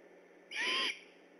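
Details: On alert after dark on 3 October 2015 near the Decorah eagle nest, a great horned owl lets out one hoarse, hissing screech with a faint whistle, lasting about four tenths of a second.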